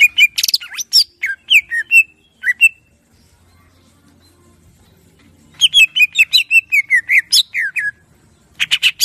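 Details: Greater green leafbird singing a varied ngeplong phrase: a dense burst of sharp chirps and slurred whistles, a silent pause of about three seconds, then another fast series of chattering notes and downslurred whistles, ending in a short trill.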